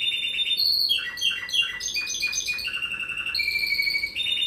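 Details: Champion Spanish timbrado song canary, a pair-category winner named best original timbrado at the 2018 Brazilian ornithology championship: continuous high, metallic song of rapid rolling trills and sliding notes that shift between pitches, with a steady background hiss.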